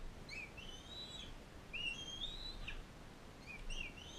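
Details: A captive bald eagle pair, a non-releasable adult female fostering a bald eaglet from Powell River at a care centre. High whistled notes rise and glide in drawn-out slurs, with shorter chirps near the end over a low hiss.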